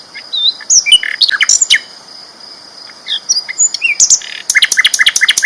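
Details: Vigorous sikatan londo flycatcher training song made of varied high twitters, upslurred whistles and chips, with a pause, then a quick rattling series of repeated notes. A thin steady hum continues in the background.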